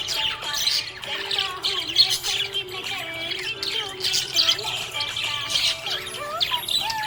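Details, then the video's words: Happy budgerigar chatter: rapid high squeaks, clicks and buzzy warbles in uneven bursts, accompanied by a gently shifting melodic tune in the background. "Happy budgie chirping sound"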